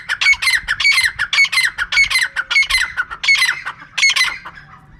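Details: Steady series of harsh, grating squawks from a female francolin, each note clipped and repeated about twice per second without a break.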